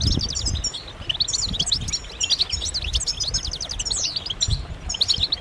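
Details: Massed European goldfinch calls of mating and readiness, played to bring silent males into song, come as rapid runs of bright chirps and twitters in repeated bursts over low background rumble.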